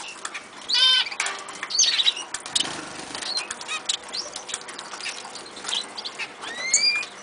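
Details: Several caged Eurasian siskins in an aviary: a brief stacked buzzy note, scattered high chirps, and a thin, upslurred wheezy whistle near the end, over a background of rustling and tapping.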